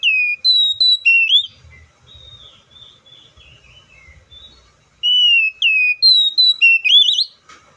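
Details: Oriental magpie-robin singing loud whistled phrases, each a falling note, then a quick string of higher clipped whistles and a rising warble. Between the two phrases come softer, thinner descending notes and a low murmur.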